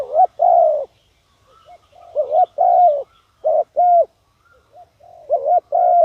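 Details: Decoy spotted dove calling to lure wild doves: loud, low hollow coos in short two- and three-note phrases, each ending in a longer drawn-out coo, with softer answering coos in the pauses.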